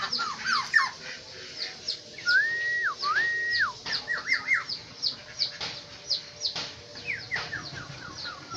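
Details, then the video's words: Black-naped oriole from Aceh, Indonesia, giving liquid whistled phrases, each with a level held note and a falling slur at the end, over a steady chorus of short high chirps from other birds. "Burung Kepodang Asli Aceh"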